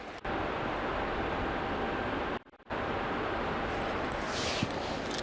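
Steady broadband rush of flowing water and wind fills the scene, with a brief dropout near the middle and a faint high hiss toward the end; no animal calls are heard.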